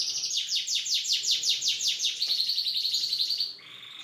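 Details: Canary pouring out a loud, fast trill of repeated sweeping notes, about five per second, ending in a steady buzzy roll.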